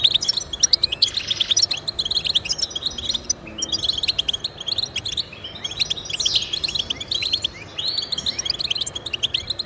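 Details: Energetic European goldfinch warbling meant to motivate domestic goldfinches: quick high twitters, rolling trills and occasional sliding notes delivered almost continuously.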